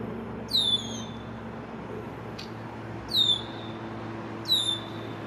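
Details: An immature male Red-winged Blackbird in his first spring, visiting a downtown backyard on May 1, 2024 near an excavation pond, gives three high, clear, down-slurred whistled notes at uneven intervals while staking territory, over a steady low city hum.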